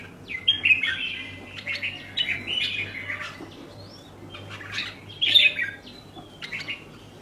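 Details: Red-whiskered bulbul kept in a cage sings a series of short, chattering whistled phrases, louder bursts near the start and around five seconds, over a steady low hum.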